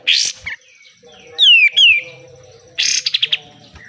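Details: Pied triller (kapas tembak) in vigorous besetan style, kept for training caged birds: a harsh buzzy burst, then two sharp whistled notes sliding downward, then a dry rattle of about five quick pulses. A faint low hum sits behind.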